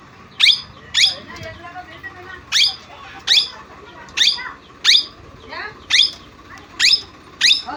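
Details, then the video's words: Parrot, known locally as mitthu or tota, repeating sharp shrill squawks roughly every 0.7 seconds, ten in a row, with a few softer chattering notes between them over a quiet background hum. "parrot sound l tota sound"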